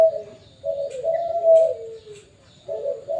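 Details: A Perkutut Bangkok zebra dove kept at a bird farm sings soft, low coos that slide gently downward, followed by a short pause and a fresh coo, under a faint chirp.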